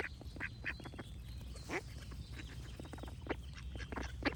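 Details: Ducks quacking repeatedly in short, rasping, nasal bursts, some doubled, spaced irregularly about every half second, over a low background rumble and faint birdsong.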